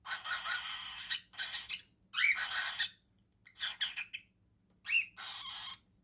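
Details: Cockatiel chicks eating cereal give harsh, raspy begging calls in broad bursts, each lasting about half a second.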